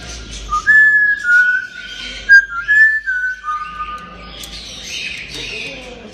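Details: Playful talking grey parrot whistling a series of clear, level and gently stepping tones, several held notes in a row, followed by softer breathy sounds.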